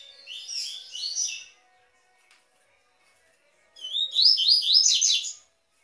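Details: A double-collared seedeater sings the Tui Tui song type used to warm up and train captive birds: two bursts of quick, high, twittering notes that rise and slur together, with a pause of about two seconds between phrases.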